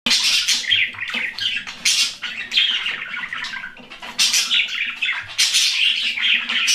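Budgerigars chatter continuously with bright, scratchy warbles and quick chirps, a busy flock-like stream.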